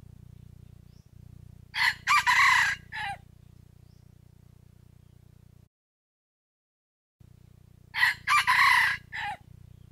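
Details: Red junglefowl rooster used as a decoy, crowing to provoke wild roosters into crowing and lure them for trapping. Two loud, harsh multi-part crows, each about one and a half seconds long, roughly six seconds apart, over a steady low hum.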